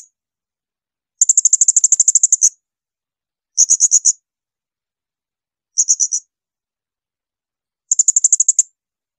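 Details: Blue-crowned hanging parrot giving shrill burst calls, used as master material to tutor songbirds such as magpie-robins and leafbirds: four rapid trills of very high piercing notes, each burst one to one and a half seconds, separated by silent gaps.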